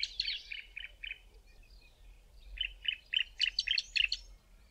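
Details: Bar-throated Apalis pair in duet, male's call louder and lower: evenly spaced chirped notes in two series, the second faster and stronger with paired higher and lower notes interleaved, clean background.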